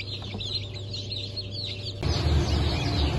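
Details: Newly hatched Cream Legbar and Rhode Island chicks, 29 August 2024, giving rapid high falling peeps; after two seconds a loud low rumbling noise rises and partly covers them.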